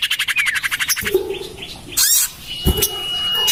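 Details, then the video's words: Common iora lure recording, said to be tested in a garden beside a house: fast buzzy chattering rattle that pulses several times per second, then harsh squawks and a long, level, thin whistle held to the end. "Suara pikat burung sirtu cipoh terampuh sepanjang masa"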